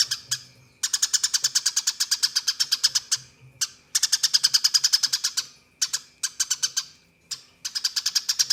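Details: Eurasian tree sparrow in fighting song used as training material for competition birds: long, fast, evenly spaced trains of high chirps lasting up to two seconds, interrupted by brief breaks and single notes.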